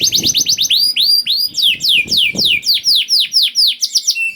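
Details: Hard-singing 'gacor' canary used to tempt reluctant canaries into song: brisk trill, then repeated arched whistled notes about four per second with falling slurs.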